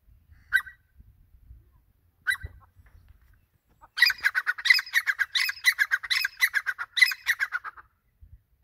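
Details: Grey francolin (teetar, also called Dakhani or Irani teetar) giving two isolated harsh notes, a pause, then a rapid, strident run of grating pulsed phrases repeating roughly every half second for about four seconds before stopping.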